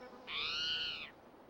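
A Spotted Towhee gives one drawn-out, cat-like mew, harsh and slightly rising before it fades, lasting under a second. The background is otherwise quiet.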